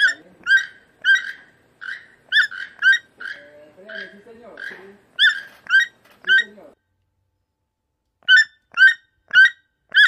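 A toucan gives sharp, squeaky yelping calls in quick series, about two per second, with a brief pause. Lower, murmuring sounds come in midway.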